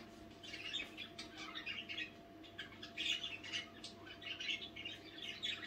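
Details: Budgerigars talking among themselves at night, an almost continuous stream of scratchy, warbling chirps rising and falling in loudness, with a constant faint hum underneath.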